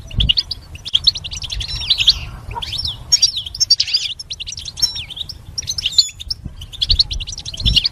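Goldfinch song: a fast, tinkling stream of bright twitters and buzzy trills, almost continuous, with a few low thumps in the background.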